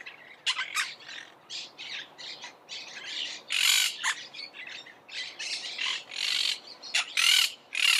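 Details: Harsh squawks of a Monk parakeet come in irregular bursts, some short and clipped, others longer and screechy, loudest toward the end.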